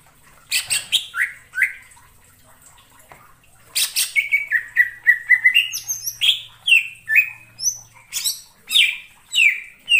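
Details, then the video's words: Cucak ijo lure song for bird trapping: loud, varied whistled phrases with sharp clicks, rising and falling slurred notes repeated in quick series, continuing after a short pause with long whistled runs and chatter. "suara pikat burung cucak IJO"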